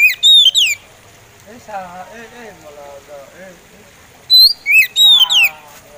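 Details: Oriental magpie robin singing slowly: bright sweeping whistled phrases open and close the passage, separated by a stretch of soft human talking in the background.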